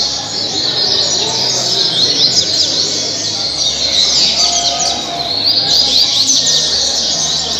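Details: Caribe-style song of a double-collared seedeater (coleiro) from Mambucaba park, Angra dos Reis, Brazil. Busy, high-pitched twittering with bright sweeping whistles that build toward the end, over steady noise.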